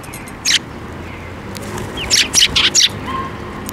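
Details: Sparrows coming to a water bridge at Tenmangu to get food, 5 May 2024: one sharp chirp, then a tight run of four harsh, high chirps about two seconds later, over faint background hum.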